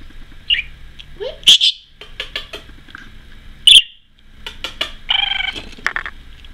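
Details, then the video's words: A very social female pet budgerigar chatters in quick bursts of high chirps, clicks and short buzzy trills with brief pauses, over a faint background hum. "parakeet noises, trills, and ramblings"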